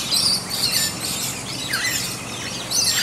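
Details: Back-yard rainbow lorikeets feeding in bottlebrush, producing a steady high, raspy chatter with a few piercing squeals and one short downward-bending call.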